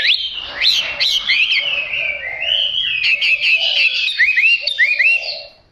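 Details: Chinese hwamei of fighting stock practising song, giving a continuous stream of bright whistled notes, upward sweeps and curling slurs, with a soft low cooing underneath and brief sharp clicks.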